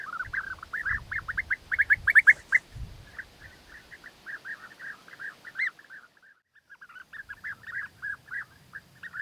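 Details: European bee-eaters during courtship, the male winning the female's favour with food gifts: rolling, liquid trilled calls repeated rapidly, several birds overlapping, with low rumbling handling noise in the first three seconds and a brief pause near the middle.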